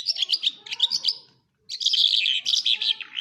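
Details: Larks singing in Quetta, Pakistan: dense bursts of high twittering, chirping notes, a brief pause near the middle, then another long run of rapid warbled phrases.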